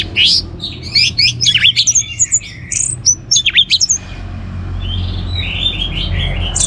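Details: A captive orange-headed thrush (Geokichla citrina) sings vigorously, a recording used to stimulate other birds: a rich, varied song of quick whistles, slurred notes and sharp chips in rapid bursts, with a low hum underneath.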